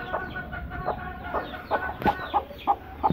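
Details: Two broody hens sitting together; soft low clucks that grow louder and closer-spaced toward the end, with faint high peeping in the background.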